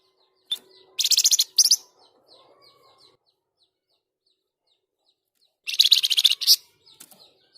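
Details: Flamboyan bird, used as a training and provoking song for other birds, delivers two separate volleys of fast, shrill, trilled notes. Scattered faint high chips fill the pause between them.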